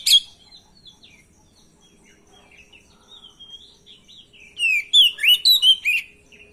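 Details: Oriental magpie-robin (kacer) song used to provoke a reply: a quiet, scratchy run of soft twittering notes, then a loud burst of rapid sweeping whistles near the end.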